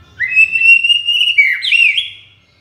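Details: White-rumped shama song for mastering and luring: one long, clear whistled phrase that rises and holds, then breaks into a brief twisting flourish at the end, with a faint low hum beneath.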